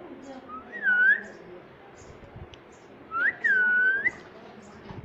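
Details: Talking ringneck parrot whistles twice: each a clear, pure tone that rises, dips in a gentle U-shape and flicks up, the phrases about two seconds apart in a quiet room.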